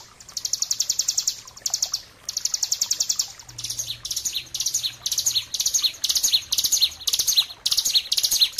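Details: Bar-winged prinia, ciblek gunung, in a master recording for training cage birds: bursts of rapid high trilling separated by short pauses, then repeated chirpy phrases with sharp downslurred notes. A faint low hum is also heard.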